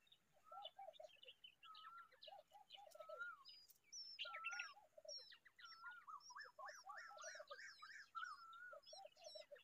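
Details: Common babbler raising a chick: a busy mix of squeaky whistled and warbling notes, short falling chirps and wavering phrases, several voices overlapping in quiet surroundings.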